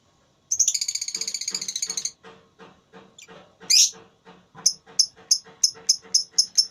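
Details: Lovebird in a singing contest: a long, fast buzzing trill of rapid pulses for about one and a half seconds, a harsh squawk, then a quick series of sharp high chirps, with soft low pulsing sounds underneath.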